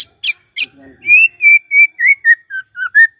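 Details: Morning song of a white-rumped shama, played to get a silent one singing: harsh high notes, then a steady string of clear whistled notes repeated about every quarter second.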